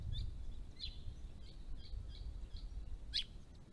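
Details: White-browed woodswallows, a large flock gathered at a pond in December 2016, giving short sharp chirps near one pitch, scattered irregularly with a louder double note near the end, over steady low rumbling background noise.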